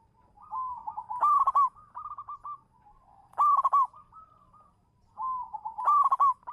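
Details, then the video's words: Singing local zebra dove used as a champion lure: purring coo runs build into loud, harsh accented bursts, repeated three times with quieter pauses between. "suara burung perkutut lokal manggung juara pancingan"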